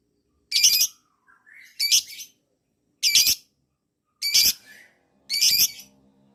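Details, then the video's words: Lovebird, a prolific fighter-type singer, heard in a recording used to coax other lovebirds to reply: five harsh, shrill squawks spaced about a second apart, with a few soft lower squeaks between. "masteran pancingan suara LOVEBIRD ini. LOVEBIRD mu akan segera nyaut dan ngekek panjang"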